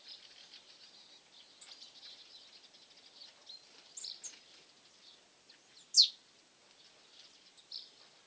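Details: Eurasian nuthatch feeding at a bird feeder and driving off tits, archive recording from 18 January 2016; soft scattered high chirps, then one loud, sharp, downward-sliding note near the end and a few quieter chirps after it.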